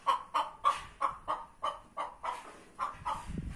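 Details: Two hens in a chicken tractor competing for the same spot to lay eggs: loud nasal clucks repeated about every third of a second, steady then slightly irregular, with some rustling at the end.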